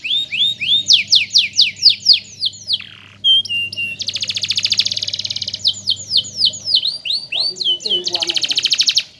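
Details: Long canary song from a master bird used to teach singing: a string of rising and falling whistles, brief flat notes, long bright trills and more whistled swoops, with a low steady hum underneath most of it.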